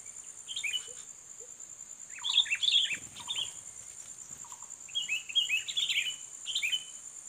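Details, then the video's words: Sooty-headed bulbul, a fighting bird drawn in by luring: two clusters of lively, tumbling chirps with a few lower whistled notes between them, set against a steady high-pitched insect drone. "Pikat Kutilang Petarung"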